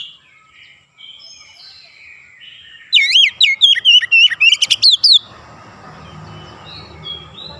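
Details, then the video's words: Faint whistles give way to a loud two-second burst of quick, looping whistled notes from an Oriental magpie-robin in 'ngerol nembak' style, followed by soft background hiss. "KACER NGEROOL NEMBAK RAPAT DAN GACOR"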